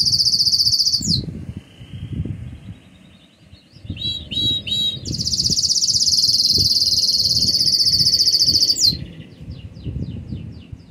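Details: Intense yellow Belgian canary singing a lot: a high rolling trill, a pause, then swooping notes leading into a long, very fast high trill and softer chattering notes, with low background rumble.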